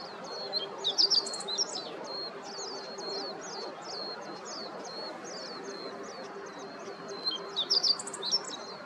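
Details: On a late-October morning at Yanagishima coast in Kanagawa, Japan, a meadow bunting gives a long series of short, high, downslurred notes, with louder bright chirp clusters near the start and the end, above a steady low hum.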